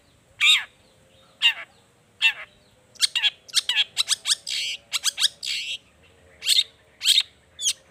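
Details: Lure song of a long-tailed shrike for coaxing shrikes into song: scattered downward-swept squeaky notes, then a fast run of harsh chattering notes, ending with spaced rasping calls.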